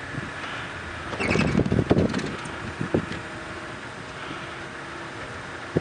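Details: Running vehicle with wind buffeting and a few loud thumps and rattles on a sunrise safari drive, no animal calls present.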